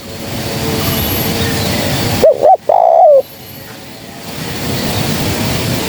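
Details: A lone spotted dove phrase, recorded for use as a trapping lure: two short coos and a longer falling coo set against a steady background hiss.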